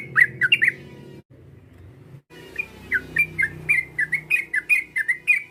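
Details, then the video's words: Rival-provoking call of a yellow-vented bulbul. A few quick chirps, a short break, then a steady series of bouncy whistled notes roughly every quarter second, over low background rumble. "PANGGILAN TRUCUK ini memancing emosi lawan, TRUCUKAN langsung BUNYI GACOR"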